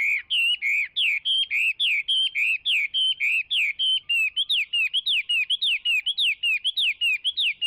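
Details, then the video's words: Steady, rhythmic Chinese hwamei song: an unbroken series of about thirty loud whistled notes, wavering and slurred, delivered at an even pace of several per second, with no other sounds. "نصف ساعه من تغريد طائر الخوامي Chinese Hwamei"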